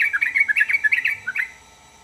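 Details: A yellow-vented bulbul gives a short, quick run of liquid, bubbly warbled notes that rise and fall, then stops abruptly.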